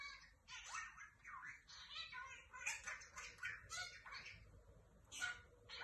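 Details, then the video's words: Lovebirds chatter in a rapid stream of harsh, shrill squawks and chirps, overlapping and repeated several times a second, with no gaps. "أصوات طير الحب يتكلم sound of ornamental birds"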